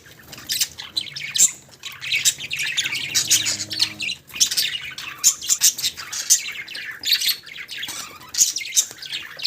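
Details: Budgerigars chattering in a busy flock, with dense high chirps, squeaks and short squawks overlapping throughout and hardly a pause.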